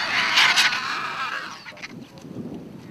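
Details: Excited vultures descend to feed in the African bush, with marabou storks and jackals nearby. Their harsh, hissing squeals last about a second and a half, followed by fainter rasping bursts over faint low rumbling.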